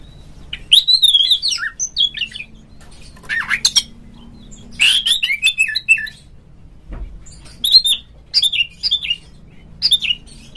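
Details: Lure song of an Oriental magpie-robin to stir a rival kept bird into singing: separated bursts of whistled warbles and rasping notes, with faint background hum.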